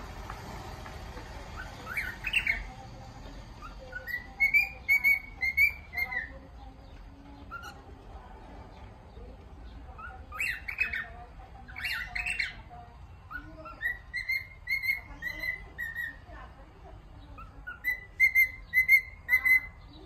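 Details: A cockatiel whistles the tune "If You're Happy and You Know It" in clear, mid-pitched notes, with a few harsh chirps between phrases.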